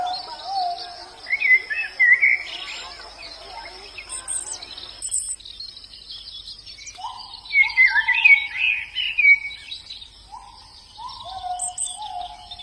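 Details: Wild white-eye song with bursts of high twittering chirps and short descending whistles, alternating with quieter gaps, over a constant high insect drone.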